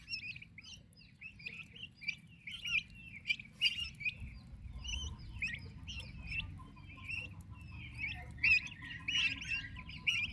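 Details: Active turkey chicks with their mother, a busy chorus of shrill short peeps from many birds, louder bursts now and then, steady low background noise throughout.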